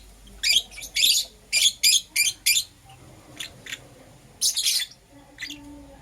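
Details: In the morning, green opaline and lutino lovebirds give a run of five loud, harsh, high chirps in quick succession, a pause with softer notes, then another burst of shrill calls.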